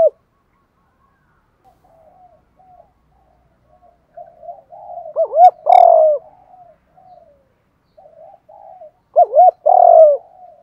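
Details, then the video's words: Lure spotted dove in the thổ cục voice style calling to attract wild doves: soft murmuring notes, then two loud, hollow, husky coo phrases several seconds apart. "Chim Cu Mồi_ cu gay giong tho cuc dinh Thúc + gáy gọi bbooir nghe nhanh về và nhanh gáy"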